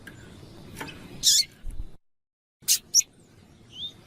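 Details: Double-collared seedeater, with a calling female used to stimulate males: a few short, sharp high chips, singly and in a quick pair, with a brief dead-silent gap and faint background hiss.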